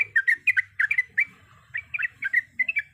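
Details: Sooty-headed bulbul delivering a long run of rich, bubbling phrases; short gurgled notes in quick bursts, a one-second lull midway, low rumbling background.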